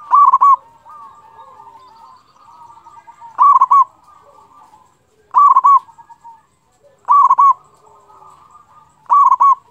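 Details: Local zebra dove singing actively, kept as a lure to provoke other doves into singing; loud burry cooing phrases repeated at uneven intervals of two to three seconds, with softer cooing from other doves between.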